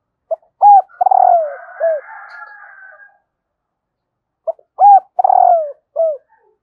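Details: Spotted dove hen calling to excite males. Two cooing phrases about four seconds apart, each with a short pickup note, a strong arched coo, a vibrating downward-gliding trill and a clipped final coo. A rasping drawn-out call overlaps the first phrase.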